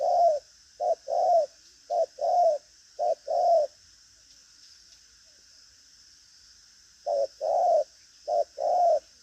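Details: Spotted dove, a trained caged bird, gives strong 'thúc gù có lèo' style cooing. Low, hollow short-then-long coo pairs repeat in three phrases, pause for about three seconds, then resume. A steady high hiss sits underneath.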